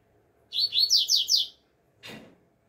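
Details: Double-collared seedeater singing in the open air, a training song in the alegria tuí tuí zeo zeo style: one bright high phrase of five quick slurred, down-sweeping notes, then a short soft thump after a pause.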